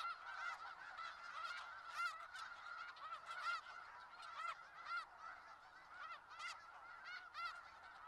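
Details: Skagit Valley snow geese flock calling, a busy layered chorus of nasal honks with frequent loud, clipped individual yelps rising above it roughly once a second.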